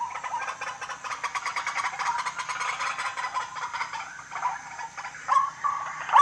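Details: White-breasted waterhen calling at night: a dense, continuous run of fast, harsh chattering notes that swell and fade, with a few sharper louder notes near the end over a faint low hum.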